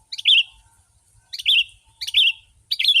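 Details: Sooty-headed bulbul singing in a lively, dense style used to lure wild birds: four bubbly, warbled phrases, each a quick cluster of notes ending in a short slurred tail, spaced about half a second to a second apart.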